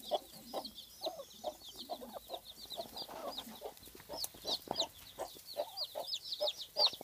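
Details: Domestic hen guarding many hatched chicks, her muffled clucks repeating irregularly beneath a dense chatter of high-pitched chick cheeps, with some background rustle.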